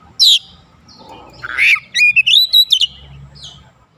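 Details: Oriental magpie-robin singing as a lure to make other birds sing. A sharp opening note, a rising harsher phrase, then a quick string of clear, bouncing whistled notes.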